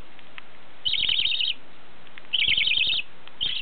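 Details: Pet budgerigars at home in Tottori, Japan, chattering together in three bursts of rapid, scratchy warbling chirps, each about half a second long, with brief pauses between.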